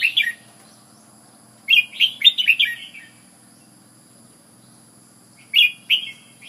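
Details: Red-whiskered bulbul from Ubon, Thailand, giving a rapid warbling phrase of five or six liquid notes, long silence, then a shorter two-note burst.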